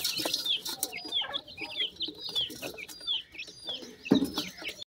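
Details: Newborn Sindhi partridge (teetar) chicks in fields in Pakistan: thin, high, down-slurred peeps repeated rapidly and overlapping, as if from several chicks, with a few soft clucks and a brief knock near the end.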